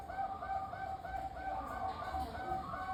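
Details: Rolling series of gentle, repeated cooing notes from a lively local zebra dove used to lure others into singing, over low steady background noise.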